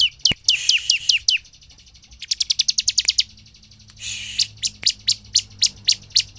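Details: Bar-winged prinia singing to provoke other birds into song: rapid series of sharp, high descending chirps in bursts, alternating with buzzy harsh rattles, loud and close.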